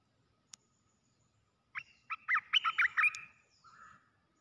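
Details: Red-whiskered bulbul kept in a cage as a trapping decoy, displaying on the ground; after a quiet spell and a sharp click comes a lively burst of about eight rapid warbled notes, then a softer, lower trailing note.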